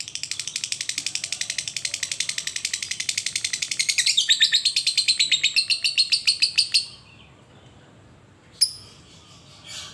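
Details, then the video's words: Lovebird used to lure other lovebirds into singing, giving a long ngekek: a fast, high chattering trill of rapid repeated notes for about seven seconds, shifting midway into a tighter series, then silence and a brief click. "Suara lovebird ngekek panjang"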